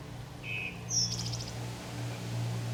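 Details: An American goldfinch calls with two quick, thin notes, the second higher and sharper with a brief fading flutter. A steady low engine hum runs underneath while a Bermuda lawn is cut low in summer.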